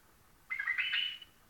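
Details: White-eared bulbul singing one short, liquid warbled phrase lasting under a second, rising then wavering over a faint background hiss.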